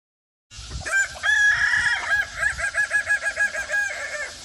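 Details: Kukuak Balenggek rooster from Minangkabau, prized for its melodious multi-level crow; after silence, a long crow of quick, evenly repeated pulsing syllables rolls on for about three seconds.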